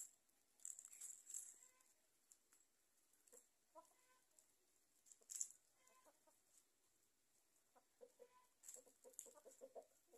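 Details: Hens and roosters in a garden: scattered soft clucks and short mid-pitched calls come and go over ten seconds, with a steady high hiss underneath throughout.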